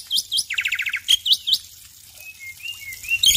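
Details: Morning song of a male black-winged myna: a few sharp upswept chirps, then a quick rattling series of buzzy notes, followed by thin drawn-out whistles and a final bright chirp.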